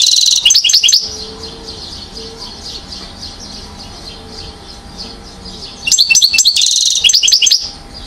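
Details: Acrobatic one-year-old European goldfinch in Mouzaia, Algeria, 2012, giving two brief bursts of sharp, rapid, high chirping notes with a quiet pause between.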